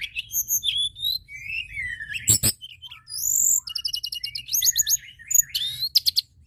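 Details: White-browed shortwing in full, constant song used to stir other birds into singing: a rapid, jumbled run of high whistles, downslurred notes and buzzy trills, with a sharp click near the middle and a quick rattling series toward the end.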